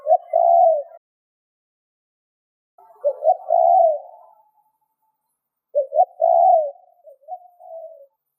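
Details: Spotted dove cooing, a lure bird used to draw in wild doves; three low, soft phrases spaced about three seconds apart, each a short stuttered start and a longer rolling coo, with a trailing note in the last phrase.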